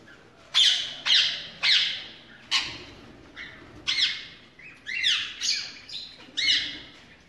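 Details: Ringneck parakeets in a breeding aviary with mixed birds call in single harsh screeches, each a sharp downward squawk, spaced roughly half a second to a second apart, some doubled.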